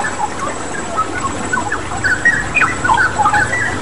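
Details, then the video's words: Straw-headed bulbul (cucak rawa) singing vigorously on a training recording for pet birds, mixed with flowing-water therapy sounds; short clear whistled notes, some sliding up or down, follow in a quick, uneven string over a steady watery hiss. "Masteran Cucak Rawa Gacor dengan Terapi Air"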